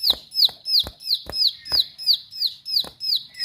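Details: Bar-winged prinia in forceful, sharp song. Regular piercing whistled notes, each slurring downward, are repeated about every third of a second without a break. Each note is often accompanied by a dry click.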